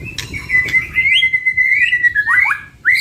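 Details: White-rumped shama from a singing duo, recorded as a training lure. A long, steady whistled note held for about two seconds, then quick downslurred chirps and a final rising whistle.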